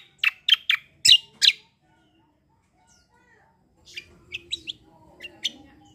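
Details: Black-winged myna singing in a rolling, fighting style: five loud harsh chirps in quick succession, a near-silent gap, then softer scattered chirps over a faint low rumble.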